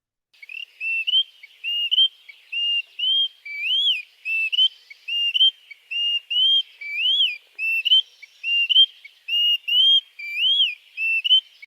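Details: Greater Pewee singing clear, sweet whistled phrases rendered 'Santa Maria', slurred up and down and repeated steadily without pause; the song keeps going for about another minute; no other sounds intrude.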